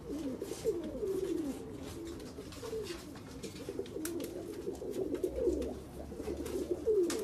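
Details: Persian fancy pigeons coo continuously in low, rolling, throaty warbles that rise and fall, with overlapping birds and faint clicks and rustles indoors.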